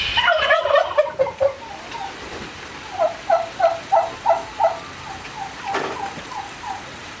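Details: Turkey gobbling: a loud rattling gobble at the start, then a run of about eight rhythmic, evenly spaced yelping notes, followed by softer, lower repeated yelps.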